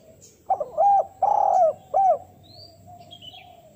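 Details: Spotted dove giving a calling coo used as a lure for wild doves: a short soft note, a long wavering hoot and a final arched coo, then quiet with a few thin high twitters from other birds.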